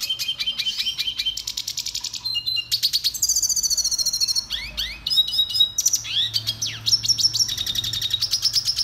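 A red siskin sings a fast, high twittering song of rapid trills, sweet slurred whistles and brief buzzy notes, delivered almost without pause.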